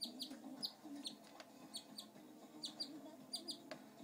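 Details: Short, high chirps from a pet male canary that follows people around, often given in quick pairs about every half second over a low humming background.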